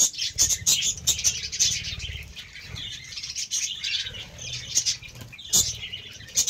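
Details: Several happy pet budgerigars given green leaves chatter with quick, high overlapping chirps and warbles.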